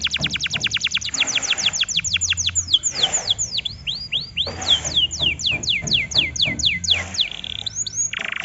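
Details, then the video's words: Lure song of a canary, played to rouse other canaries: quick runs of sharp descending whistles, some curving upward, repeated in bursts of varying speed, with a faint low hum underneath. "BURUNG KENARI anda akan ikut emosi DENGAN PANCINGAN INI"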